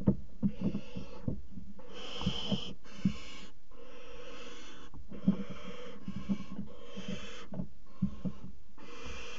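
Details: Barn owls at a water tower nest box in February 2018, a pair mating on the box rim; a string of harsh, snoring hisses separated by brief silences, mixed with frequent low thumps and taps.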